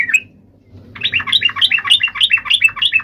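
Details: Yellow-vented bulbul in fighting song, played to provoke other bulbuls to reply: one brief chirp, a pause, then a quick rolling series of bubbly warbled notes climbing and dipping, roughly three per second.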